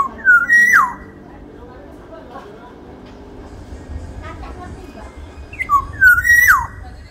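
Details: Sumbawa black-naped oriole with a large body repeating its fluted phrase twice, about six seconds apart, each a rising whistle into a held note ending in a falling slur, with faint voices between.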